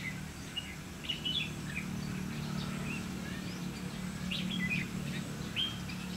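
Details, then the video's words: During a trapping session for red-whiskered bulbuls on 30 May 2016, a bulbul gives scattered bright chirps and short warbled phrases every second or so, set against a constant low hum. "Bẫy chào mào lăng săng ché-cánh các kiểu"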